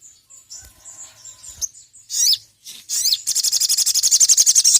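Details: Little spiderhunter known as sogon, calling a rival on a master recording for bird training: thin high notes, two swooping squeals, then a long, quick, regular trill of high pulses.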